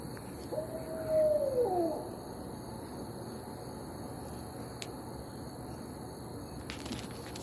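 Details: Barred owl call: a rising note followed by a loud, drawn, wavering hoot that slides downward, then quiet background with a faint click or two.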